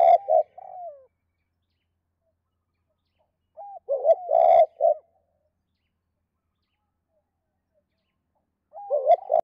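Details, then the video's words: Spotted dove in the "2 cốt" calling style, calling to hens, from a recording made to lure wild doves. Phrases repeat roughly every four seconds, each a brief slurred upnote followed by two or three deep coos, with faint clicks. "Chim cu gáy 2 cốt và thúc lợi cốt kích bổi"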